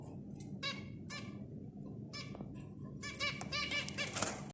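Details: Several nasal, buzzy zebra finch notes in irregular bursts, sometimes doubled, with the calls becoming denser and busier toward the end against a steady low room hum.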